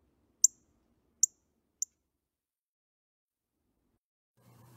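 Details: Calls of a female Northern Cardinal: three sharp, high metallic chips spaced under a second apart, then a faint low murmur at the end.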